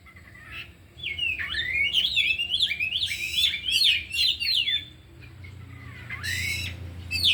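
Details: At afternoon training four caged oriental magpie-robins show their 'isian' song: a fast, tumbling string of sweeping whistles and chirps for several seconds, then a quieter stretch with a single harsh note.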